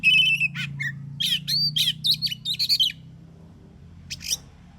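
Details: Morning song of an Oriental magpie-robin in 'ngeplong' style, used to prompt other magpie-robins to reply: a quick run of bright whistled and rasping notes with sliding pitch, then a short squeak after silence, low hum underneath.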